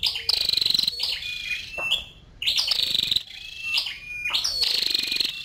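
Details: Female scarlet-backed flowerpecker, rapid sharp high chirps run together into buzzy bursts, interspersed with short level whistled notes, repeating in three main groups.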